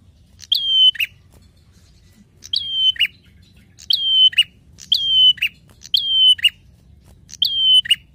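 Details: A prinia, in a recording meant for use as a lure or tutor, repeats a loud, piercing, high phrase ending in a buzzy rattle about once every second or so, over a low steady rumble.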